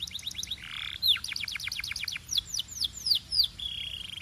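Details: Singing canary delivering quick series of downslurred whistled notes, a short buzzy phrase, then slower loud sweeping notes repeated roughly three per second, ending in a level buzzy trill.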